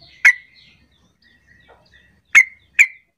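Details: Sooty-headed bulbul call intended to set other bulbuls calling back: one loud, clipped chirp, faint thin notes, then two more sharp chirps close together.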